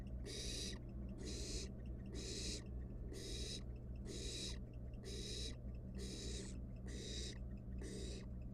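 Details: Nestling barn owl in a wild nest box, toying with dinner: steady rhythm of rough hissing screeches, about one every 0.7 seconds, nine in total, over constant low humming background.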